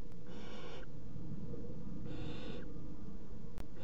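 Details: Three young barn owls eat a mouse at the same time at 01:30 on 30 June 2016. Rasping, snore-like hisses of about three-quarters of a second repeat roughly every 1.7 seconds, with a faint click.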